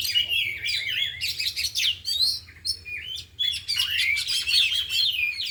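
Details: Four trained oriental magpie-robins singing together one afternoon, showing off learned fill-in material: loud, jumbled whistles, downslurred and upswept notes and rapid trills running almost without pause, one deep dip around the middle, low hum behind.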